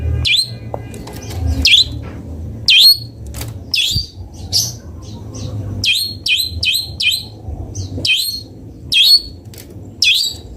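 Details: Long-tailed shrike (cendet bondol) song of short, bright chirps and whistled notes, singly or in quick clusters of two to four, spread irregularly over ten seconds above a low steady hum.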